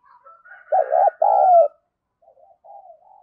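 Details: Spotted dove used as a decoy bird, calling in the fast "thổ thúc gù" style to lure other doves. Two loud low coos, the first in three quick pulses and the second a long note, then softer coos, with a faint higher whistle behind.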